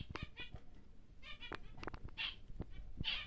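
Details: Large normal grey male zebra finch, kept in captivity for breeding, gives nasal, buzzy harmonic notes in short bursts over cage clicks and low rumble.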